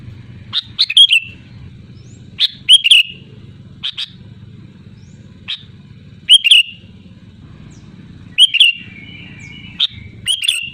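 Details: Sooty-headed bulbul in loud, lively song: bubbly whistled phrases mixed with single sharp chirps at irregular intervals, set against a steady low hum.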